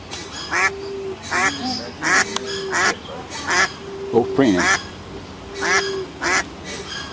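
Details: Pond ducks with ducklings quacking busily: harsh, nasal quacks in quick pairs and runs, several overlapping, with a steady background tone between calls.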